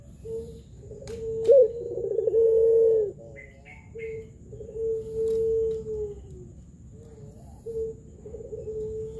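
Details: Pelung-type spotted dove calling as a lure for other doves: a low rough burr leading into a steady coo, later a long level coo and quieter trailing notes, over a steady background hiss with a few faint chirps.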